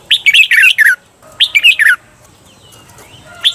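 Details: Red-whiskered bulbul 'bernle' training song for cage birds: two busy phrases of fast, slurred descending whistles, followed by quieter faint notes and the start of a third phrase.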